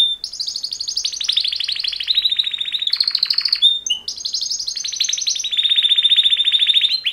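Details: Two males singing canary mating call song in long rolling trills, with a steady buzzing roll at one pitch, a brief break, then the rapid pulsed trill resumes and holds.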